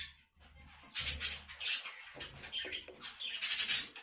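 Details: Budgerigar giving a quick run of squeaky, raspy high chirps and warbles, ending in a brighter, louder flourish, with a faint low hum behind.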